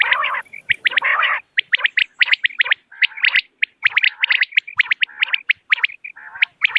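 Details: Common quail calling: a rough buzzy opening, then a long stream of sharp, high, clipped notes in quick twos and threes, with occasional lower nasal notes.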